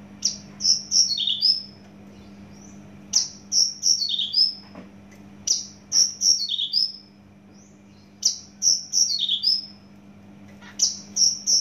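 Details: Javan bush lark, a caged bird from Java, repeats a phrase of four or five sharp high descending chirps roughly every two and a half seconds, over a faint steady hum.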